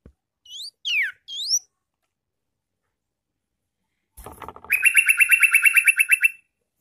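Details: Sooty-headed bulbul song used to call in wild bulbuls: one short phrase of three whistled notes, the middle one sweeping steeply down, followed after a pause by a long, loud, buzzy rattling trill.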